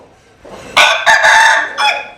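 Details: Loud rooster crow that starts abruptly, breaks into three strong pulses, and finishes with a shorter closing note.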